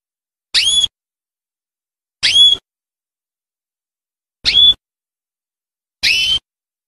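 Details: Belgian canary, named as singing the 'campainha' bell song, here gives four short, sharp call notes spaced irregularly about two seconds apart, each with a bright whistled ring.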